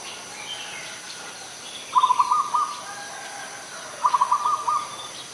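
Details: Adult zebra dove in Ubon Ratchathani, Thailand, on 21 September 2022, giving two bursts of rapid, staccato, pulsed cooing notes about two seconds apart, each lasting under a second, over a faint background hiss.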